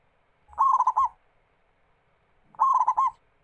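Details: Singing local zebra dove used as a lure for other doves; a pair of bubbly cooing phrases, fast trilled notes then a detached final coo, separated by two quiet seconds and some low knocks.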